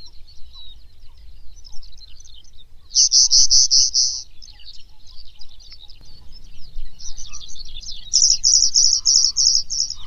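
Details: Pallas's bunting song: two bursts of rapid, evenly repeated high, slightly buzzy notes, roughly eight per burst, separated by softer high twittering, over a steady low rumble.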